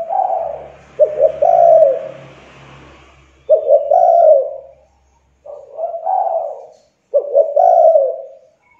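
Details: Spotted dove lure call meant to prompt reluctant, young doves into calling: low mellow cooing phrases, each opening with short stuttered notes then a drawn-out coo, with a brief rough hiss and faint low hum early on.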